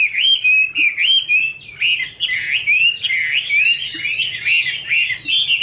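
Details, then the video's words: Female Chinese hwamei, a top-quality caged songbird, singing with a male in the background: loud, rich whistled phrases with slurred rising and falling notes, repeated in quick bursts about once a second, mixed with sharper chattering notes. "Chim hoạ mi: Mái te đỉnh cao của năm _ có chim trống làm nền"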